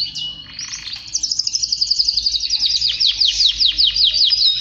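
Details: Male canary singing, bright high rolling trills that begin with a few clear whistled notes, then run as fast, evenly repeated pulses across the phrase, with a short buzzy segment near the end.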